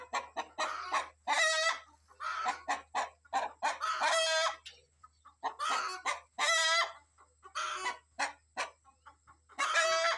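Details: Rooster and hens being let out in the morning to forage, the rooster agitated by kites flying overhead and warning the family to hide. Loud harmonic squawks alternate with short clucks in repeated bursts about every two seconds.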